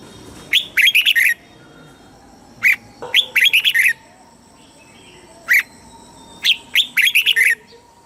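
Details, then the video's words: Southern master-style song of a red-whiskered bulbul, played to rouse caged birds and teach young ones: three phrases, each a clear opening note followed by a fast chattering string of four or five bright notes. "เสียงนกกรงหัวจุก สำหรับต่อ หรือ เปิดให้นกคึก"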